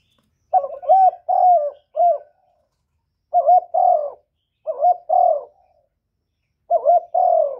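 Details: Decoy spotted dove cooing to challenge a wild bird, four low phrases in a row, each starting with a short note and followed by longer hollow coos, separated by brief silences.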